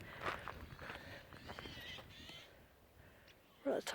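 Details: Eurasian jays in trees in a conservation area at the abandoned village of Watergrove, Lancashire, give harsh, rasping screeches, roughly one every half second for two seconds, while a man talks over them and a thud sounds near the end; a great spotted woodpecker is nearby.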